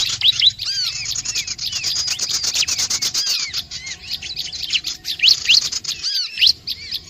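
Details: Bar-winged prinia calls played to gather other curious birds: busy high twittering with looping and rising chirps, briefly quieter around three seconds, then louder sharp upslurred notes near the end.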